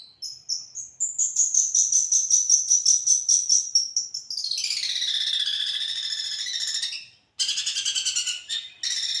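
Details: Long-tailed shrike, a champion bird, mimicking the kunti panjang and tengkek: a high, rapid pulsing trill that drops into a dense, buzzy, wavering chatter, a short gap, then more buzzy trilling.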